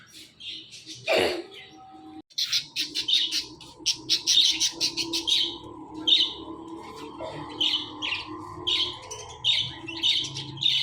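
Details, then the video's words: Pet Indian ringneck parakeet giving quick, high chirpy notes in rapid irregular bursts, sometimes several close together, after a brief louder squawk at the start, with steady low hum behind. "IRN Talking Parrot"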